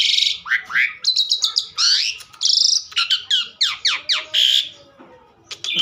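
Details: Asian pied starling pouring out rich, varied phrases: downslurred whistles, a cluster of steep descending sweeps and grating buzzy notes, tapering off near the end.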